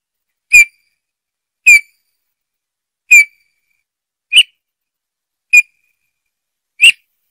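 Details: Bullfinches giving a steady series of six brief, soft, slightly descending whistles at roughly one-second intervals, quiet between notes.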